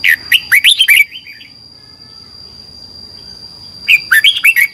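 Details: Red-whiskered bulbul competition singing, used to train birds: two bursts of loud, rich warbled phrases, rapid rising and falling whistled notes clustered about a second long, separated by a quiet pause with a faint lower trailing note; steady high whine in background.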